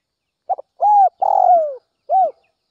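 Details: Early-morning call of a Northwest Vietnamese spotted dove, used to provoke and lure wild doves: a quick double stutter, a sustained hooped coo, a burry falling coo, then one closing coo after a pause, with nothing else audible.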